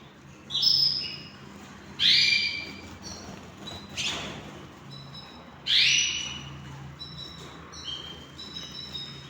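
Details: Hand-tamed pet canaries indoors giving short separated chirps and whistled notes, several bright rising squeaks a few seconds apart with brief high tones between them, no continuous song.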